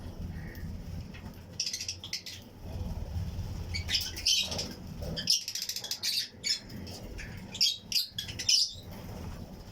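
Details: Fischer's and Lutino lovebirds in a colony flight cage, sharing the aviary with other birds. Intermittent clusters of high, sharp twittering chirps are separated by short gaps over a low background hum.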